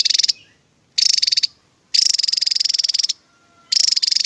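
Javan tesia giving four bursts of high, rapid, even trills, short ones and one about a second long, separated by brief pauses. No other sounds.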